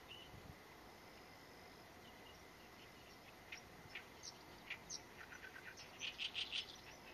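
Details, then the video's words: An Oriental reed warbler, named in Korean for its "gaegaebi" call, gives harsh, grating chattering notes in quick bursts that build louder toward the end, over a steady high insect whine. "개개비 소리"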